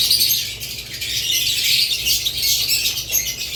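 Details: A short burst of crowded budgerigar chatter, lovebirds also named: high, squeaky chirps layered thickly with no gaps.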